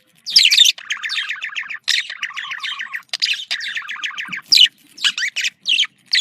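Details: Pet budgerigars in breeding-stimulation calls, male and female: fast stacked chirping runs mixed with harsh squawky bursts, rattling along in phrases separated by brief silences.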